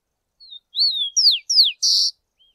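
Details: Rufous-collared sparrow singing a short phrase of a thin lead note and three descending whistled slurs, ending in a brief high buzzy trill, with a faint note after; clean recording without background noise.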